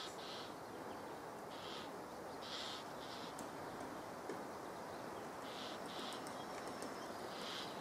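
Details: Great spotted woodpecker: short sharp calls, about eight in total, spaced irregularly, some in close pairs, faint against steady broad background hiss.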